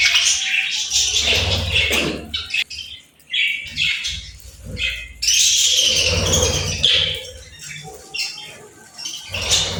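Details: Almost continuous warbling chatter from playful birds, full of quick squeaks, rasps and twitters, broken by brief lulls, with occasional low thuds.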